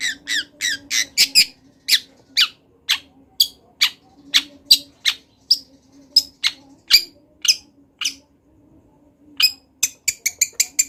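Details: Wild long-tailed shrike (cendet) in energetic 'gacor latah' singing, recorded as a master recording for training songbirds: a long run of harsh, scratchy broadband notes, fast at first, then spaced, then a quick burst again, with a faint low hum behind.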